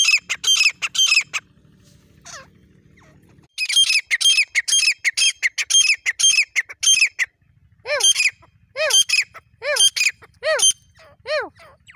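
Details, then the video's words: Grey francolin, dakhni teetar, in jungle during partridge hunting: loud, rapid, shrill squawking notes in a fast burst, a short pause, then a steady run of clear descending slurred notes repeated evenly, with faint low hum beneath. "Jangle ka tateer beautiful voice dakhni Tateer"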